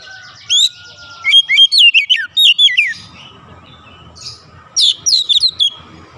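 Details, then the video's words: Oriental magpie-robin singing when agitated: a string of loud downward-slurred whistles, a quiet pause, then a final quick cluster of bright whistled notes. "PANCINGAN cepat Kacer emosi bongkar isian"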